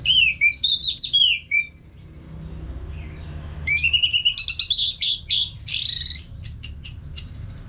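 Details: Caged Orange-headed thrush from Singaraja, North Bali, with a nonstop gacor song meant to stimulate other birds. Quick sliding whistles open, then after a gap a dense run of sharp, rapid notes.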